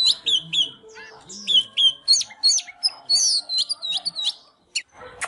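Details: Oriental magpie-robin singing while dancing, fired up: a fast run of clear whistled notes, rising and falling slurs and short chirps, with brief pauses and faint low tones beneath.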